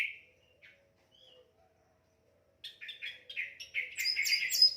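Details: Orange-headed thrush singing for bird training: a few soft separate whistles, then a rich run of rapid, varied warbled notes climbing into high trills toward the end.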